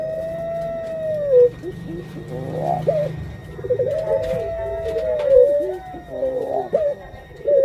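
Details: Puter pelung dove hen, a pet bird close to laying eggs, repeats long arching coos separated by quavering, pulsed phrases over about seven seconds, with a low steady hum behind.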